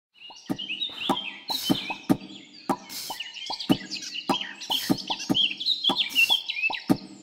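A Eurasian blackcap sings a rich, fast, fluty warble of varied notes, over a steady run of sharp knocking clicks about twice a second.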